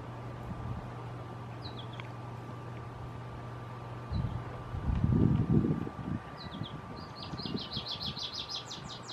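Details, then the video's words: American goldfinch gives a few thin high chirps, then a fast twittering run of bright notes near the end, over a steady low hum and a passing rumble. "American Goldfinch singing"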